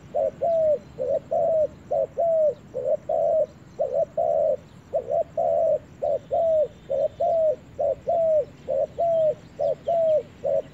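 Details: First time in the forest for a spotted dove, which coos continuously in evenly spaced pairs of short and longer arched notes, about one per second throughout.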